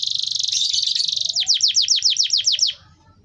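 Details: Stimulating song from a canary intended to make others join in: a dense rolling trill gives way to about a dozen crisp descending chirps, then fades to quiet, with low hum in the background.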